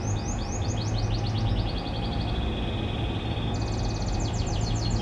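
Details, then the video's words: Domestic canary from a private breeding collection singing in the morning: fast repeated high trills that slow and drop to a steady rattle, then a quicker high trill, over a constant loud low hum. "MASTERAN KENARI PAGI HARI"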